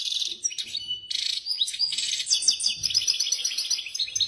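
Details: An excited European goldfinch sings a rapid, liquid stream of twittering notes and tinkling trills, bright and high-pitched, running almost without pause.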